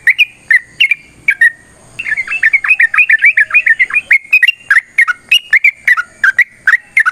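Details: Long fighting song of a yellow-vented bulbul, used to provoke other birds to sing: a few spaced bubbly notes, then a rapid rolling burst of gurgling whistles, then steady repeated liquid phrases.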